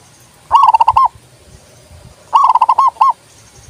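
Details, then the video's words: A zebra dove gives two loud phrases of quick, bubbling coos, each ending in a separate drawn-out note; the recording is intended to encourage other doves to sing. "TERAPI PERKUTUT MOGOK BUNYI PALING TOP"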